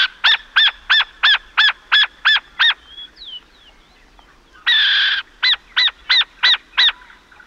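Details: Burrowing owl (pequén) at La Esperanza, Pirque, gives a rapid series of about eight harsh, nasal notes, about three per second, then a louder rasping burst and another run of notes, with faint thin whistles between.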